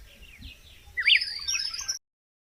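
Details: Red-cowled cardinal: after faint soft notes, a single loud, quick phrase of twisting, slurred whistles rises and falls, then cuts off abruptly.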